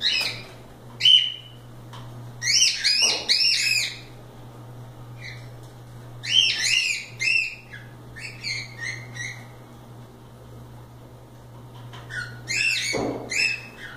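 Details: Several loose cockatiels playing and having fun give a rapid series of stacked, arched chirps and short whistles in clusters, with quieter gaps between bursts and a constant low hum beneath.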